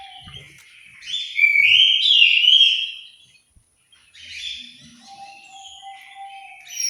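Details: Orange-headed thrush singing in an aviary in Malang, East Java: a loud, fluid warbled phrase, a short silence, then softer, rambling high notes over a faint steady tone.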